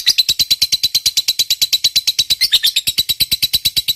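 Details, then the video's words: Lovebird giving a long ngekek, meant to provoke and draw out quiet birds: fast, regular, harsh chattering notes with a brief squeaky flourish midway, continuing steadily to the end. "Suara Burung Lovebird Ngekek Panjang, PINTAR Memancing EMOSI, LB Bisu SUSAH BUNYI Langsung NYAUT"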